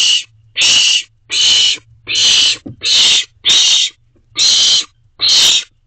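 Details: Loud rasping screech-hisses from owlets at a nest box on a June night in 2023, eight bursts in a steady run about three quarters of a second apart, with a faint hum underneath.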